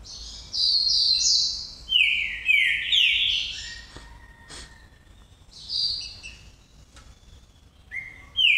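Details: Green-winged saltator singing loud, clear whistled phrases that slide downward, in bursts separated by short pauses, with a few quieter notes between phrases.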